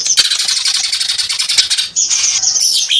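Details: Cucak ijo, the greater green leafbird, in loud, dense song: a harsh, rapid chattering run of high buzzy notes, a brief dip, then sustained whistled squealing phrases, all close and continuous.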